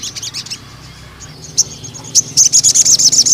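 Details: Spotted young male crimson sunbird, in lure and tutor song: a short quick trill, a pause with faint high chips, then a fast, steady run of shrill repeated notes.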